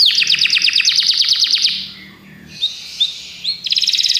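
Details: Belgian canaries in song: a fast pulsed trill of repeated notes, a pause with soft chirps, then another rapid rattling trill, over a low background hum.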